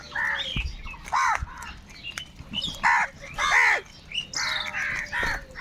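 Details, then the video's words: A large crowd of crows fighting for food; loud, rough caws come roughly twice a second amid softer squawks and a steady background of other crows. "Kaka sound and noises of Crow birds | Huge numbers of crows crowing and crying sounds"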